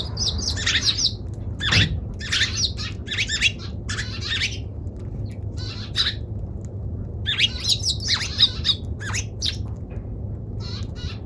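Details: Eurasian tree sparrow chirping busily, with a long run of harsh, clipped chirps in irregular clusters and a dense chattering patch near the end, over soft low background rumble.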